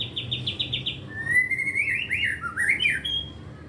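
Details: White-rumped shama said to be learning to sing without pause, full of borrowed fill-in phrases: a short burst of rapid dropping notes followed by a warbling, swooping whistled phrase that climbs and dips, ending on a steady high tone.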